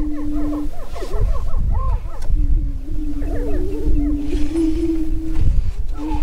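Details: Several Greater prairie-chickens displaying at a spring lek near Crookston, northwest Minnesota, on 27 April 2013. Low droning booms run underneath clustered rising-falling cackles and whoops, then a long steady moan dominates the second half.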